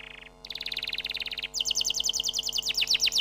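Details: Canary song made of quick phrase changes: a short low rattle, a dense buzzy trill, then higher, bright rapid notes that speed up toward the end.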